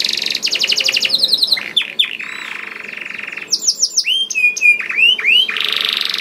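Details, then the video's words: Energetic canary song used to stimulate other canaries: fast stuttering trills and tight repeated notes, a sustained buzzy roll, then looping upslurred whistles and a final buzzing trill. "Kenari Gacor Mewah Langsung Nyaut Gacor Dor Di Pancing Kenari Ini Bikin Emosi || Voice of Canary"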